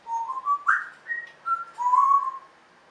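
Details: A pet African grey parrot gives a quick run of clear, whistled, speech-like phrases, some sliding upward, over about two and a half seconds in a quiet room.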